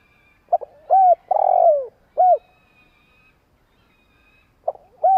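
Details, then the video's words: Spotted dove used as a decoy bird, giving its long cooing song to provoke wild doves; low, mellow coos in a phrase of short notes and one drawn-out, falling coo, a pause, then the phrase starting again. "Chim cu gáy tiếng gù dài kích bổi nge là gáy."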